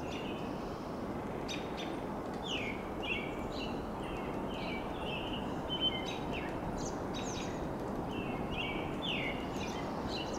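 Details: American robins singing on tall Monterey pines in Del Monte Forest, California, on a spring evening: short, clear, slurred whistled phrases, mid-high in pitch, in steady succession, over a constant low rumble of wind or distant traffic.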